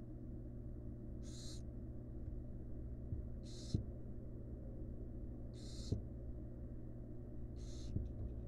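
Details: Barn owl mother resting alongside her chicks in a wild nest box; four drawn-out breathy hisses roughly two seconds apart, with soft thumps and a low hum beneath.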